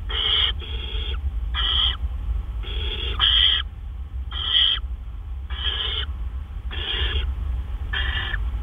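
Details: Great horned owl nest, early morning of 10 April 2013 around 1:43 AM, prey delivery of a gopher: a string of coarse, breathy screeches, some doubled, at uneven intervals, with a constant low-frequency hum.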